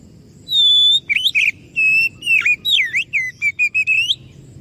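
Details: Lure song of an Oriental magpie-robin meant to draw replies from other birds: opens with a long pure high whistle, then a rapid run of bent, slurred and clipped whistled notes with brief gaps.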